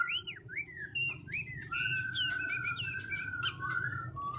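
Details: Black-throated laughingthrush switching voices continuously in song. Softer, arched whistles and a long steady whistled note are heard over a low background hum, with short clicky notes in between.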